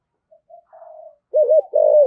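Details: Lure spotted dove in the 'thổ' voice: faint soft notes, then a loud close phrase of a wavering double coo followed by a long, rich, descending coo.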